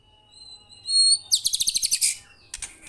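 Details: White-rumped shama singing actively: high thin whistles, then a quick burst of about nine loud, bright buzzy notes, followed by a short scratchy phrase.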